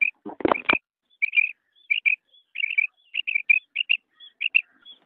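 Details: Quail calling, from a recording of one male and three female call types: a brief clattering burst, then a run of short whistled notes in pairs and triplets, repeated at a steady pace.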